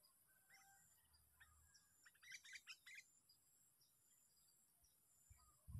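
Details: Sooty-headed bulbul, a trapped bird on its sixth day of sparring, in a park: a brief burst of bubbly, chirping notes lasting about a second, over a quiet hiss of background noise and a low thump at the end.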